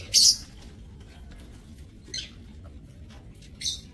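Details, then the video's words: Lovebirds housed in a breeding aviary cage, 30 May 2024. Mostly quiet, with one loud piercing shriek at the start and two softer scratchy squeaks later. "Aviary Lovebirds"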